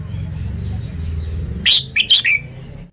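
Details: Red-whiskered bulbul singing one short, bright phrase of three or four quick, liquid, warbled notes in the second half, after a stretch of low rumbling background noise.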